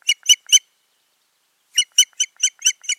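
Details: Osprey pair at their nest in Finland in June after a failed breeding season; loud, sharp, high whistled yelps in a quick burst of three, a pause, then a run of six rapid repeated notes.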